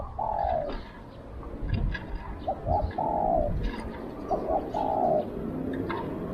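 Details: Spotted dove kept as a decoy to call in wild doves, giving a long falling coo followed by phrases of two quick notes and a longer coo, against a rumbling outdoor background with soft chirps.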